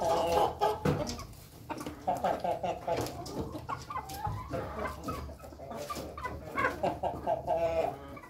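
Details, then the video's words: Ayam Ketawa chickens, a flock eating together in a coop, give repeated short clucks and trilled, stuttering calls in bursts, with pecking and scratching noises throughout. "ayam ketawa ayam pada makan berkelompok di kandang"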